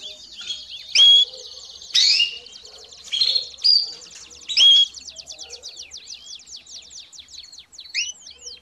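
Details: Domestic canary song used to train young birds: short bright chirps and whistled notes in bursts about once a second, then a run of rapid, even, high ticking notes and a few slurred whistles.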